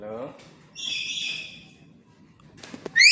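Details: A tame black-capped lory that also talks lets out a drawn-out raspy screech lasting about a second, after a brief voice-like note and before a sharp rising whistle at the end.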